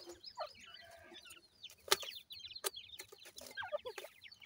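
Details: Grey francolin chicks accompanying a pair: scattered high, downward-sliding peeps, a few fuller lower notes, and sharp isolated clicks or taps breaking through.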